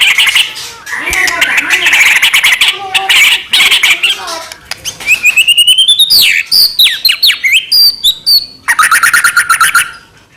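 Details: Energetic white-rumped shama singing meant to stir other shamas into song: dense buzzy chatter at first, then clear rising whistles, sweeping slurred notes and a closing burst of quick repeated chips.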